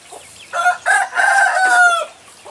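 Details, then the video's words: Rooster giving a full crow: two short rough opening syllables followed by a long harmonic note that falls slightly at the end, over a quiet background. "ROOSTER CROWING COMPILATION AUDIO PLUS - ROOSTER CROWING SOUNDS EFFECT"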